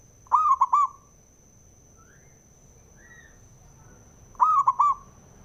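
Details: Male zebra dove, a local bird, calling to provoke other doves to sing: two short bursts of soft, rolling cooing notes about four seconds apart, each three quick tremulous coos, with a steady high electronic tone behind.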